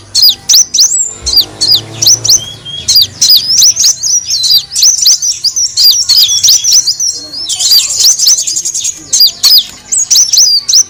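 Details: Sunbird known locally as kolibri wulung, in a lure recording used to attract birds: rapid, thin, high chirps with sharply falling and rising notes, densely repeated and overlapping, with a brief buzzy trill near the eighth second.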